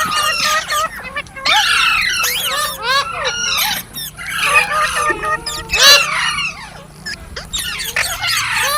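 A parrot chirps and screeches almost nonstop in dense, overlapping bursts of shrill, rapidly bending notes, with several birds apparently calling at once.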